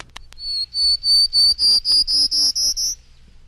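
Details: Prairie Warbler song from a field guide recording of bird songs: about nine thin, buzzy notes in an evenly spaced series, each a little higher than the last, rising steadily, preceded by two faint ticks.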